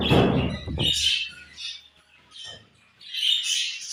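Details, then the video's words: Budgerigars give short bursts of high twittering chirps split by brief quiet gaps. A loud low rustling or handling noise opens the recording. "Beautiful Budgies Chirping Sounds"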